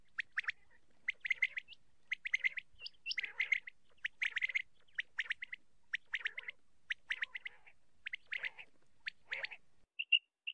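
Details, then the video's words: Common quail (batair) repeats its liquid three-note 'wet-my-lips' call, quick clipped phrases roughly once a second, with no other sounds. "batair calling voice l batair quail sound"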